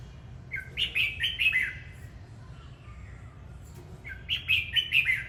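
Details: Red-whiskered bulbul repeating a cheerful phrase of several fast, bright, slurred whistles, heard twice about three seconds apart, with low hum in the background.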